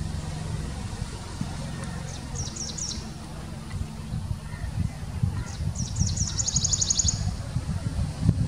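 Grey-breasted prinia giving two bursts of thin, very high notes, the second quickening into a rapid trill, over a steady low rumble of traffic or wind.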